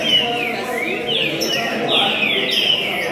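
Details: Green-winged saltator (trinca-ferro), a contest runner-up in Rio de Janeiro logging 246 songs on 26 June 2021: loud, clear whistled notes sliding downward in quick back-to-back phrases over a soft background murmur.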